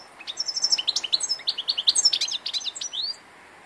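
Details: An old European goldfinch, recorded on 2 August 2014, gives a rapid tinkling, twittering song of short high notes at several per second, ending in a rising buzzy slur, over a steady background hiss.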